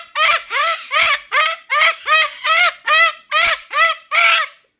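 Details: Pet Moluccan cockatoo complaining at bedtime because it does not want to go into its cage: about ten loud nasal calls, each rising then falling, repeated steadily about twice a second.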